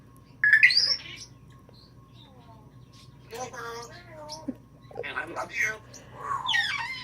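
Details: Pet female African grey parrot, newly joined to a household flock, known for imitating sneezing, laughter and a messenger ring: a loud rising whistled chirp early on, then softer warbling vocal sounds mixed with a woman's speech indoors.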